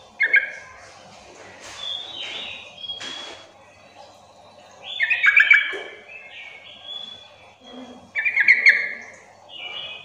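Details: Sooty-headed bulbul calling to draw replies from other bulbuls: three chattering bursts spaced a few seconds apart, rich and slightly harsh, mixed with sharp clicks and high whistles of other birds.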